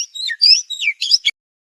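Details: Clear master song of a white-rumped shama, 'tembakan' competition style meant for copying: a quick string of warbled, swooping whistles rising and falling, ending in a short rough burst, then silence.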